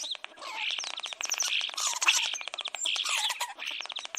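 Several chicks peep at once: high, thin cheeps overlapping in a dense, continuous chatter with brief lulls.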